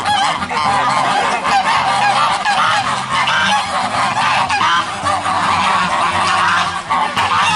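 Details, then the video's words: Group of geese calling all at once: dense, overlapping nasal honks continuing without pause throughout, with steady low background music tones underneath. "Sonido de ocas o gansos"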